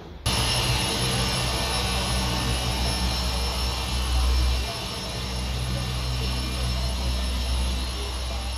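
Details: Steady loud mechanical hum with a high-pitched whine and low droning, with no bird calls.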